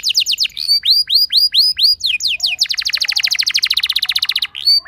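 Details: Canary lure song in the rolling 'ngerol' style, played to prompt other canaries to sing. Curved whistled notes repeat several times a second, then break into a long, fast, buzzy high roll and end on whistles.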